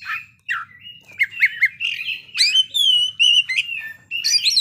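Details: Oriental magpie-robin (kacer) singing freely and showing off its isian, the repertoire of mixed-in phrases: varied whistles, squawky notes and rising slurs in quick succession, with a faint low hum underneath.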